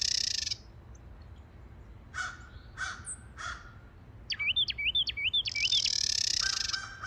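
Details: Carolina wren pair duetting in a January garden: the male's quick rolling song of bright whistled notes overlapped by the female's harsh, buzzy chatter call, which is unlearned and not a true song. A few rough crow caws sound earlier.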